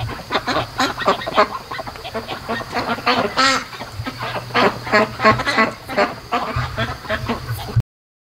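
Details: Domestic ducklings, day 73 of raising, restless at 3 AM at night: a steady stream of short, rasping quacks from several birds, roughly three per second, over a low background hum, ending abruptly in silence.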